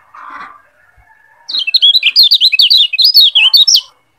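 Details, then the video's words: Yellow white-eye from Lombok, heard as a tutor recording for teaching other birds. A muffled low murmur first, then a brisk run of high, sharp, up-and-down whistled notes lasting over two seconds before stopping abruptly. "Masteran Kecial Kuning Biar Lebih Cepat NGEPLONG"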